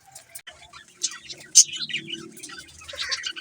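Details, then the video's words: Budgerigars chatter with quick high chirps and thin, scratchy warbles, with one sharp loud chirp standing out midway. A faint low rumble continues underneath. "Budgies chirping sound"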